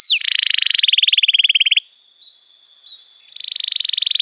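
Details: Singing canary used as a tutor and trigger for young birds that have stopped singing: a dense rolling trill for about a second and a half, a short silence, then the rapid roll starts again.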